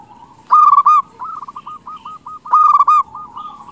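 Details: Zebra dove song used to lure wild doves. Two strong cooing bursts about two seconds apart, each a quick stuttering series of coos, linked by a run of softer, evenly spaced trailing coos.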